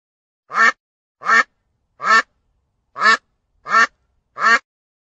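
A wild duck gives a series of harsh, nasal quacks, roughly one every three-quarters of a second.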